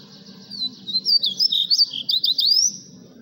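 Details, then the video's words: Blue-gray tanager kept as a pet, giving its mariposa-style song: thin, squeaky, rising and falling whistles strung rapidly together for about one and a half seconds, with low rumbling noise underneath. "Este es mi azulejo cantando mariposa"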